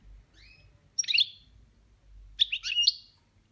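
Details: European goldfinch, a caged pet, singing 'boniments' phrases: two faint thin upslurred whistles, then two energetic bursts of rapid tinkling, buzzy twitters about a second and a half apart, ending in a drawn-out buzz.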